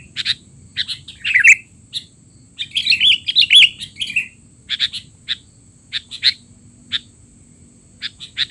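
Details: Sooty-headed bulbul noisy calls for tutoring young bulbuls: a dense middle burst of warbling, slurred notes, framed by many separate sharp chips spaced about half a second apart.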